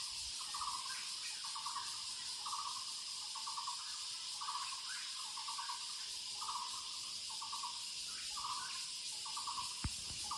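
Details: In woodland, a Muller's barbet gives a long series of short, rattling, knocking bursts at a steady pace, with a constant shrill insect chorus filling the background.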